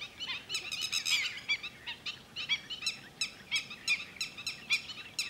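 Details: Red-wattled lapwing, known locally as titodi, at Thol bird sanctuary: sharp, strident harmonic notes in quick bursts, several calls overlapping and repeated, with a soft background hiss.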